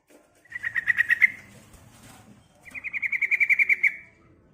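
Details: Female yellow-vented bulbul calling a male, used as a lure: two bursts of rapid, evenly repeated bright notes around one steady pitch, each run of about ten notes lasting roughly a second, separated by a short pause.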